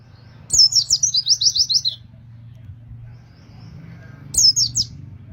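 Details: Two phrases of rapid high rolling chirps from an Oriental white-eye, the first longer, with quiet between them; song used to coax other white-eyes into singing.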